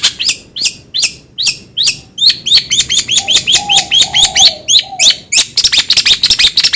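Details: Long-tailed shrike song played as a lure for another bird to sing: evenly spaced sharp downslurred chips, about three per second, then a denser high chatter, with a soft lower whistle in the middle.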